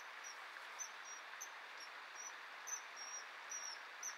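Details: Male common kingfisher during courtship feeding; the female refuses the offered fish, so he eats it himself. Thin, shrill, high whistled notes repeat about every half second over a steady rushing background like running water.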